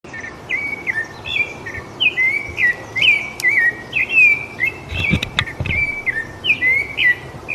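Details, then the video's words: Rufous-bellied thrush singing in Brazil: a steady run of clear whistled phrases, each a short slurred note dipping or rising, delivered about two per second without pause, over a faint background hiss and a few soft clicks. "MAGNÍFICO SABIÁ LARANJEIRA"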